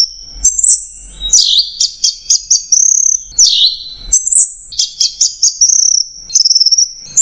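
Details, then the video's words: High, sharp Orange-headed thrush song, macet jernih style: bright swept whistles followed by quick repeated chips and short trills, broken into stop-start bursts, with a long thin whistle near the end. "MASTERAN ANIS MERAH MACET JERNIH"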